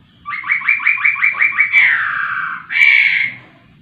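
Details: Laughingthrush in vigorous song: eight quick, rising whistled notes, a long falling slur, then a loud, harsher drawn-out note. There is a faint low hum in the background.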